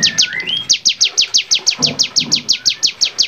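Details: Lively bar-winged prinia song recorded as training material for songbirds. After a brief rising whistle, evenly spaced, penetrating descending notes repeat about three times a second.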